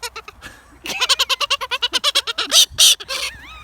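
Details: Pet Galah, a parrot native to Australia, screaming while happy and excited: a rapid run of harsh, harmonic screeches at about six per second, building to louder noisy shrieks and ending in a rising whistled note.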